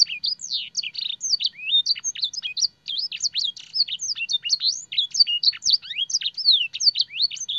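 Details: Canary singing a training master song with blackthroat and sanger phrases: a fast, unbroken stream of high, varied chirps, sweeps and trills, with swooping notes repeated in quick succession and almost no pauses.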